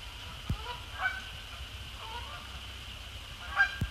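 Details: Resident and migratory Canada Geese coming down onto Sapsucker Woods Pond after sunset; a few spaced honks, one loud near the end, among quiet background noise and brief sharp taps.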